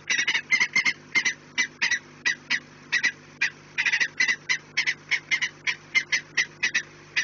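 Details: At the nest on 4 March 2019, 16:28, peregrine falcons give loud rasping kak calls, quickly repeated and slightly uneven in pace, against a faint constant hum.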